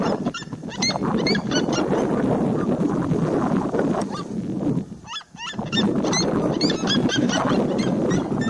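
A seriema gives a fast run of loud, yelping notes, several each second, with a brief pause midway, over a steady rumbling background.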